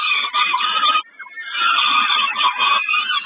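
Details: Peregrine falcon calling during a snack at Kawęczyn, 20 May 2022: a loud rasping wail, a one-second pause, then another long strident screech.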